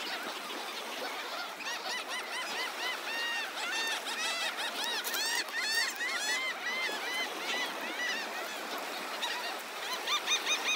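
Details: Seagull flock gathered at the beach of Delnor-Wiggins Pass State Park in Naples, Florida, one morning: dense chorus of arched, nasal, harmonic calls, about two or three a second, overlapping constantly over soft surf.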